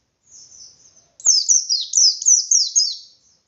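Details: White-eye in loud ngalas, meant to make any white-eye answer: soft high twittering, a click, then a strong series of sharp descending chirps repeated about four per second.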